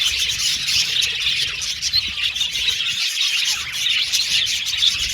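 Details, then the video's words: Many caged budgerigars in an aviary chattering while playing with the cage, a constant busy mix of squawky chirps and warbled twitters, steady in volume throughout. "Budgies Singing And Chirping Sound"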